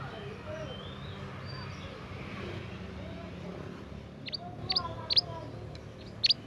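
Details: Young wild Scarlet minivet from the forest, singing actively: after about four seconds of quiet background, five sharp, very high whistled notes come singly at irregular intervals, each a thin downward-slurred chip.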